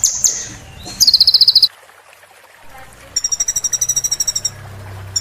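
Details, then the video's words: Sunbird training recording for caged birds: a couple of high chirps, a fast buzzy trill, a silent gap, then a longer even trill of about twenty notes over faint low background noise. "MASTER BURUNG KECIL KOLIBRI"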